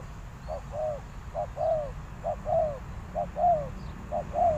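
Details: Soft, somewhat distant cooing of a decoy spotted dove: repeated pairs of a short note and a longer downward coo, around once per second, faint background rumble.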